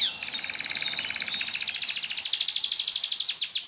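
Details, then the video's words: A yellow canary sings a training song, a fast, continuous trill of high, bright notes, rapidly pulsed and rolling without pause for nearly four seconds. "CANARY BIRD SINGING"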